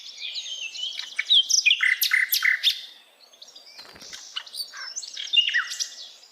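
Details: Hill Blue Flycatcher singing in wild forest: dense, high, jumbled warbling with sharp chirps, briefly quieter midway before resuming.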